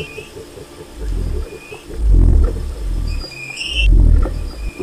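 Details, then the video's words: Low booming rumbles of a wild cassowary rise and fall in two or three heavy swells, accompanied by faint pulsed notes and occasional high whistling bird calls. "O Canto do Casuar Selvagem"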